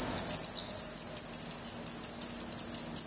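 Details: Black redstart chicks in a nest in Portugal, 16 May 2020, eyes already open, with the camera set close to the nest: thin, very high hissing begging notes given in rapid pulsed bursts, several per second, without pause.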